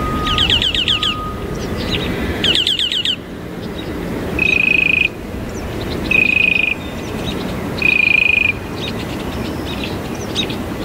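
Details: Northern mockingbird singing and mimicking other birds: rapid trilled bursts of notes around mid-high pitch, then three loud steady buzzy-whistled notes repeated about every 1.5 seconds, over constant low background noise.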